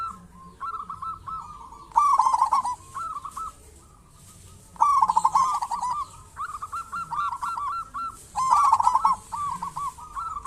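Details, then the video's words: Zebra dove of local stock calling as a lure to set off other zebra doves: three loud stuttering coo bursts spaced about three seconds apart, between them softer repeated notes from answering birds. "Perkutut lokal gacor cocok buat pancingan burung perkutut"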